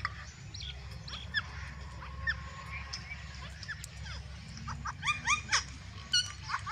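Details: Several green and white ringneck parrots give scattered short rising chirps and squawks, growing into a cluster of louder sharp notes near the end over a constant low background hum.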